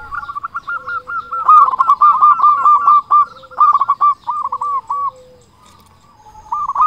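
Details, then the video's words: Zebra dove lure recording of a local, persistent singer with a big voice. Rapid rolling coo notes come in long runs with short pauses, and a second bird's lower drawn-out coos sound underneath. "Perkutut lokal gacor suara besar Pancingan burung perkutut agar cepat bunyi"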